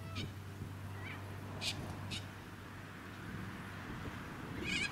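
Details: A flock of Little corellas in a suburban park on the Sunshine Coast, Queensland, in October 2017 gives a few harsh, rasping screeches, spaced irregularly, over a steady low hum of wind and motor vehicles.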